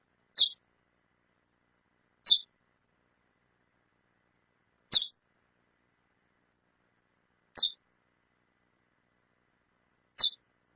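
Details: A calling female chestnut-bellied seed finch repeats a brief, high, sharp chip five times at irregular intervals of two to three seconds, with nothing else audible.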